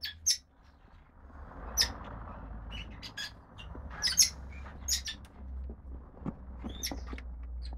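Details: Five young female red-rumped parrots of lutino and pied-dilute colouring, calling from their nest: scattered thin, sharp squeaks and chirps at irregular intervals over a steady low background hum.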